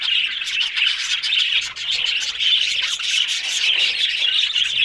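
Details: Dense budgerigar chatter, many high twittering voices blended into one steady scratchy warble with little pause.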